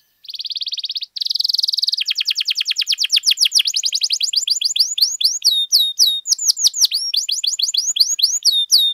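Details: Canary singing at length, used to tutor and spur other canaries to sing: a long buzzy trill, then rapid repeated notes that shift into quick downslurred whistled phrases, all high-pitched and continuous.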